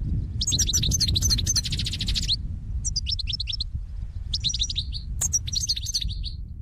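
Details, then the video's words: Goldfinch flock calls used as a lure for trapping: rapid runs of bright, liquid twittering notes in several bursts of one to two seconds, steady low hum beneath. "بتبتة الحسون خاصة بالصيد"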